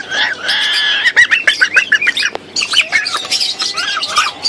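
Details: Three hand-raised baby sulphur-crested cockatoos, very hungry and noisy, begging. A sustained raspy wail gives way to rapid irregular pulsed squawks, then more overlapping grating calls.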